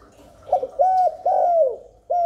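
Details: Spotted dove cooing to call in wild doves and stir newly kept ones: a short coo, a steady ringing note, then a long coo gliding downward, with a new coo beginning at the end.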